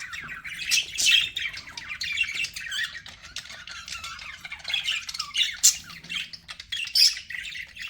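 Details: Pet budgerigars producing continuous squawky chatter, with bright chirps and rasping warbled phrases overlapping, a few louder sharp notes standing out.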